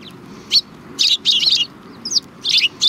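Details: Several sparrows at a Tenmangu shrine in Japan, February 2020, give bright, high chirps in short bunched bursts with brief quiet gaps between them.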